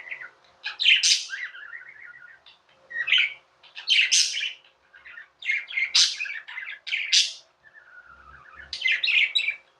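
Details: Tame pet budgerigars, described as Indian budgies, chirping and chattering indoors: bursts of harsh broadband chirps alternate with softer warbled trills, in phrases every second or two with short pauses between.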